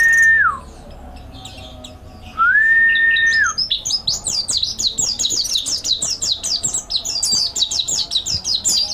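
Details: Mountain white-eye master training song: two long, smooth, level whistles with a falling end open the passage, followed by a rapid burst of high, jittery chirps repeated nearly three times a second.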